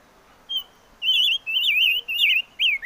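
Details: Five-coloured bird (chim ngũ sắc) song: a thin opening note, then clear, warbling whistled phrases. The phrases bend up and down and are linked in short bursts over a soft hiss.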